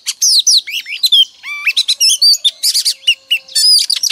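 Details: Oriental magpie-robin female, her morning song used to stir males to sing; dense, fast medley of high whistled notes, clicks and upswept chirps, varied and nearly continuous, with no other clear sounds.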